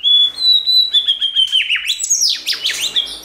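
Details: White-rumped shama song used to stimulate another shama to sing, opening with a long pure whistle near one pitch, then rapid sliding notes and sweeping descending phrases in quick succession.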